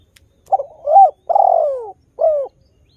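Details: Spotted dove song phrase used to provoke other doves to sing: two short stuttered coos, a swelling coo, a long downward-sliding coo and a crisp final coo, clean and close.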